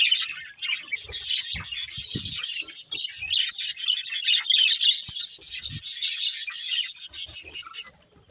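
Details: Budgies of a breeding pair keep up a long run of fast, buzzy twittering and high chirps, with scattered soft knocks, fading out toward the end.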